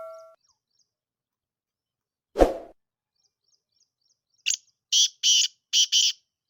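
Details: Black francolin, or kala teetar, delivering its harsh call near the end: a short rasp, then two doubled scratchy notes. Earlier there is a brief electronic beep, a dull thump, and faint high bird ticks.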